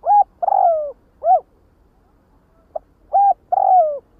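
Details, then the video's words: Spotted dove calling the flock in two rapid phrases, each a short coo, a long downslurred coo and a rounded coo in the first; loud and close with a still background. "Tiếng chim Cu Đất Gọi Bầy"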